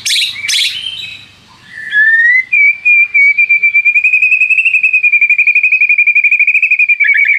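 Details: White-rumped shama lure song meant to provoke rival birds into singing. Two harsh high bursts open, then a long, steady, rapid whistled trill holds at one pitch until a brief drop at the end.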